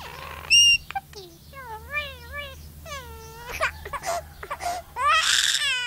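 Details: Myna that lived alongside a little baby boy, imitating a human baby's crying: wavering, wailing tones that bend up and down, a sharp squeak near the start and a harsh burst at the end.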